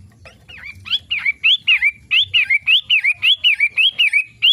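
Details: Long-tailed shrike daily song: a loud run of about fourteen short, looping whistled notes, each dipping then rising, delivered rapidly at nearly two per second after a few softer opening notes.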